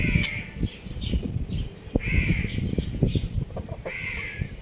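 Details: Young rooster playing on a roof gives three harsh, raspy calls, one near the start, one about halfway through and one at the end, with knocks and clatter between them.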